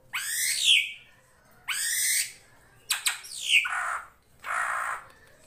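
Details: Drongo in a master recording for training songbirds gives four loud harsh rasping screeches, a couple with a falling inner whistle, spaced about a second apart over a faint low hum.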